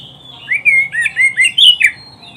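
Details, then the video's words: Oriental magpie-robin song recorded as a training track for pet birds: loud, clear whistled phrases, a run of short rising and falling notes with bright slurred whistles and a few sharper high chips, close and dominant over faint background hiss. "SUARA KICAUAN BURUNG KACER TERBAIK, PART 94 - MASTERAN KACER - KACER GACOR - PANCINGAN KACER"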